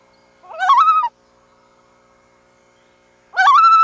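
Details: Pair of warbling, quavering loon calls about three seconds apart, each with a rapid wobble that climbs and then holds a level note, in calm, quiet conditions.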